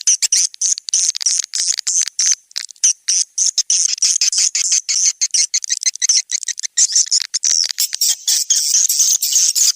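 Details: High swiftlet chirps from SP Anak Gembala, an Indonesian outdoor lure recording for swiftlet houses in Sóc Trăng and Đắk Nông, Vietnam: quick, sharp ticking notes, around three per second, thickening into continuous thin twittering later on.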